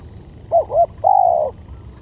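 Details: Single spotted dove lure phrase: double short hooked coo, brief pause, then a long smooth coo tapering downward, against faint low-frequency background.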